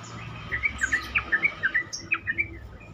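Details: Trucukan, or Sooty-headed bulbul, as a lure to make other bulbuls respond. A string of short, clear, bubbly notes, roughly four per second, sounds over a fairly strong hiss of background noise.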